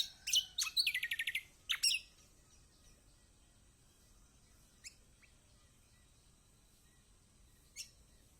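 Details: Kecial kombok (lemon-bellied white-eye) lure song for a bird that will not sing: opening burst of sharp high chirps and a rapid descending twitter, then long quiet gaps broken by single thin chirps.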